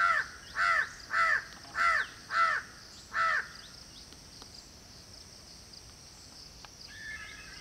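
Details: Indian peafowl calling six times in a fast series, each call loud, nasal and arched, roughly every half second, then falling silent; steady faint hiss and a soft, brief chirp from another bird near the end.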